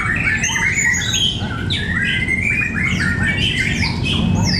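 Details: White-rumped shama singing in a songbird competition at Cibinong: dense, overlapping whistled phrases with rising and falling slurs and sharp high notes, layered over a constant low crowd and machine rumble.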